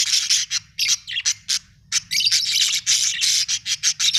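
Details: Pet budgerigars at home chatter busily, dense scratchy warbles and chirps in quick bursts that come almost without pause, with one short lull early on.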